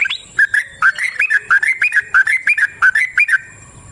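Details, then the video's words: Yellow-vented bulbul singing a long continuous song used as a lure to start other bulbuls singing: bubbly whistled phrases, rising and falling, each note quick and repeated about three times a second. "Trucukan GACOR ngalas ROPEL PANJANG suara alam AMPUH buat pancingan"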